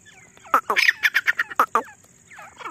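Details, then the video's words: A calling female grey partridge, used for hunting lure, gives a quick run of about eight harsh, throaty bursts within one second, followed by faint chirps. "Desi teetar madi ki Shikar wali voice"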